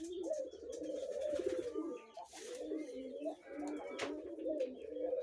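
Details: Five-month-old red collared doves giving steady low purring coos, phrases swelling and dipping in loudness and overlapping one another, with light chirps and scattered clicks above in an enclosed room.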